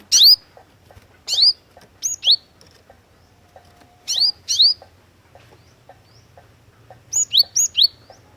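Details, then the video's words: Lure recording of a vigorous Cinereous tit (glatik watu): sharp, high swooping notes in pairs, ending in a rapid run of three, with light clicks and a faint low hum. "KICAUAN GLATIK WATU PIKAT GACOR"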